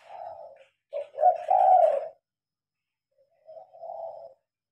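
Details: Spotted dove at night with the lights on, recorded by phone; a soft coo, then a louder phrase of a clipped note and drawn-out coo, followed by a quieter fading coo, with a faint rustle.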